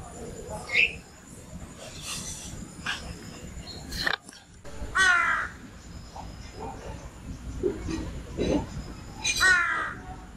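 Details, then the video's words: A morning recording of birds in which harsh, hoarse caws stand out, about three loud calls spread over ten seconds, with softer chirps and background noise between them. "সকাল বেলার পাখি || Bird Sound In Morning"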